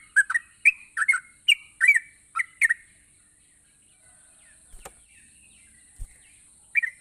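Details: Yellow-vented bulbul in full song, meant to coax reluctant bulbuls to sing: about three seconds of bubbly warbled notes, then near silence with a couple of soft knocks and one last short phrase at the end.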